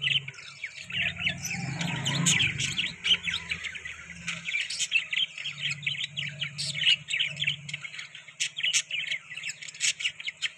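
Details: Budgerigars chattering as they eat soft food: dense, continuous high twittering and sharp chirps throughout, with a brief low rumbling noise around two seconds and a faint steady hum.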